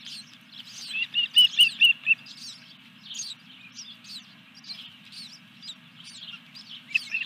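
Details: Nest of an osprey at Dunrovin Ranch, fish delivery on 14 July 2021 around 21:23. A short burst of loud, piping whistles comes quickly in a row, then softer, scattered high chirps continue to the end.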